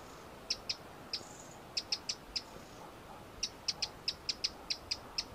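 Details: Eurasian wren (Troglodytes troglodytes), call.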